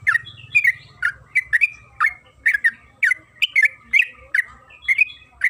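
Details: Yellow-vented bulbul, called trucukan kebo, giving a long lively chattering song used as a lure to make other bulbuls sing: loud bubbly, slurred notes in quick pairs and triplets, repeated steadily with hardly a pause.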